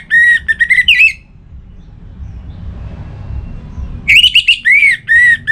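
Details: Orange-headed thrush in breeding mood, singing to call a rival: two vigorous phrases of clear whistles and rapid warbled notes, some rising and some falling, separated by about three seconds of low hum.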